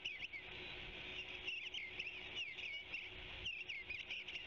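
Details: Eastern bluebird singing on a branchlet: soft, warbled phrases of short rising and falling notes repeated through the clip, quiet against a steady hiss of background noise.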